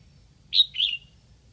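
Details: Caged red-whiskered bulbul used as a decoy in Lạng Sơn, Vietnam, to call wild bulbuls. It gives a single loud phrase: a bright sharp note, then a slurred note trailing downward, over a quiet background.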